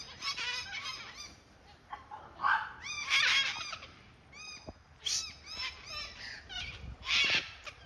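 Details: Several Sulphur-crested cockatoos, white cockatoos in Australia, give harsh, raucous screeches in overlapping bursts.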